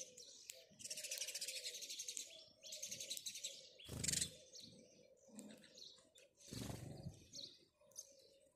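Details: Morning chirping of house sparrows, dense clusters of high, rapid chirps in bursts lasting about a second each, broken by a sharp broadband knock midway and a low constant hum underneath.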